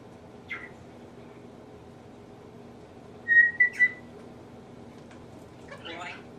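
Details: A male African grey parrot mimicking household sneezes and nose-blowing gives a brief squeak, then a clear flat whistle in three quick pulses, and ends with a short breathy, sneeze-like burst over a faint indoor hum; mimicry.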